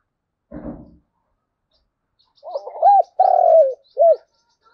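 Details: Spotted dove giving 'thúc gù' coos in the thổ đồng voice as a lure for wild doves; a low thump, then a phrase of short arched hoots, a long sliding coo and a clipped final hoot, faint high chirps behind.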